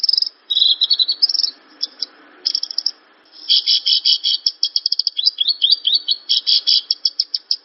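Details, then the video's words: Branjangan (Javan bush lark) in song: bright high chirp bursts, a pause, then a long rapid rattle of repeated sharp notes in a steady rhythm, with a faint low background hiss. "Suara burung branjangan/branjangan langsung bunyi denger suara ini"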